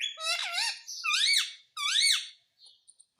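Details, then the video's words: A parrot giving three harsh, nasal squawks about half a second apart, each bending up then down, followed by a few faint squeaks. "Parrot sound effect_ Parrot sound"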